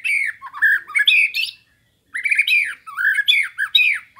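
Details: Murai batu, the white-rumped shama, in a training master recording for cage birds: two loud bursts of fast, scratchy and whistled notes, harsh and squawky, separated by a half-second pause.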